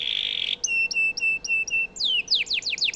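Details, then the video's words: Canary song as master material for White-rumped shamas: a buzzy sustained note, then six evenly spaced clear whistled chips, followed by rapid descending swept notes. "Suara burung kenari cocok untuk masteran murai batu"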